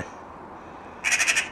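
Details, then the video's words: A jackdaw that has visited its keeper daily for four and a half years, mimicking crows and magpies, gives a brief burst of four harsh, rapid, magpie-like rattling notes after a second of near silence. "jackdaw copying crows and magpies"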